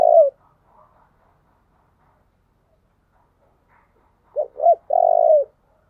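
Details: Spotted dove song used as a lure for wild doves: a low coo at the start, then after a long silence two short hooked coos and a drawn-out, slightly buzzy coo that drops at its end.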